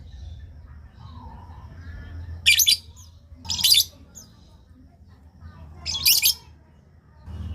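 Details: Lovebird call meant to make other lovebirds answer, three short harsh high-pitched chattering bursts spaced irregularly over several seconds, with quiet gaps and a steady low hum between them.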